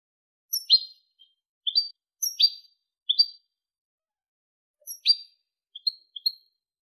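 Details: European goldfinch, 2023 recording in the clean 'limpio' song style: short separate bright chirps and brief twittered phrases, high and sharp, spaced by pauses of about a second, with a silent background.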